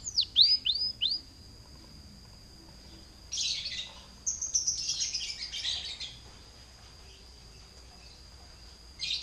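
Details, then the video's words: Canary singing as a lure to prompt other canaries: a few loud downward-sweeping whistles, a long thin sustained tone, and scattered bursts of scratchy warbling separated by quiet gaps. "PANCINGAN SUARA KENARI GACOR"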